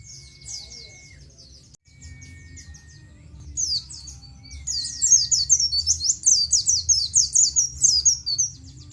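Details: Oriental white-eye singing nGalas style, meant as a training recording for captive birds: soft scattered chirps with faint whining tones at first, building into a loud, dense run of sharp, high, falling notes.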